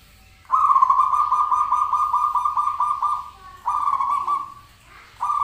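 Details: Zebra dove call used as a sound lure to make the bird answer: one long rolling, trilled coo of about three seconds at a steady middle pitch, then a shorter burst and the start of a third.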